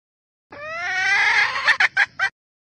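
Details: Red junglefowl hen, Vietnamese wild junglefowl, calling to stimulate males: a drawn-out, harmonic, slightly rising nasal note lasting over a second, then three short, sharp clipped notes in quick succession. No other sounds.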